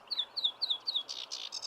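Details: Sedge warbler song: four quick high descending slurred notes evenly repeated, followed by harsher buzzy chattering phrases, clean with no other sounds.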